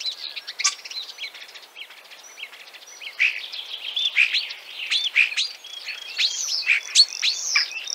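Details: Common Starling singing in Central Russia: a dense, rambling medley of high chirps, clicks and short whistles, with sharp notes that rise and fall in quick succession and get busier towards the end.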